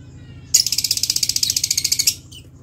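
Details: Lovebird calls as village background sound: a rapid chattering series of about twelve high, harsh notes per second lasting one and a half seconds, then a brief final chirp, over faint low hum.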